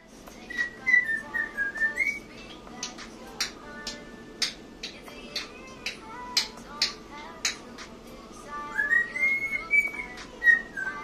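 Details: Pet African grey parrot singing while dancing indoors: clear whistled phrases sliding and wavering, a long rising-falling whistle at the start and another near the end, with scattered sharp clicks and taps between.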